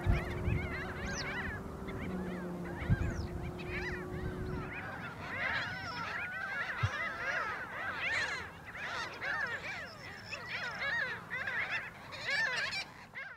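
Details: A dense colony chorus of Mediterranean gulls in the Camargue, France, in May 2021: many nasal, down-slurred calls overlap without pause, with a low mechanical hum through the first few seconds.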